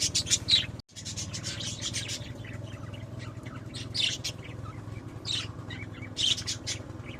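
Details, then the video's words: Pet budgerigars, more than one, giving bursts of bright scratchy chirps and twittering, louder clusters near the start and end, with a constant low droning hum behind them. "Naše anduličky (Our Budgies)"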